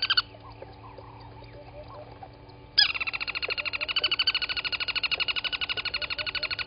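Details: At a South African waterhole, Gowrie dam in Djuma Game Reserve, Sabi Sand, on a morning in August 2020, a crested barbet breaks into a long, fast, even trill of buzzy pulses after soft scattered chirps and quiet background.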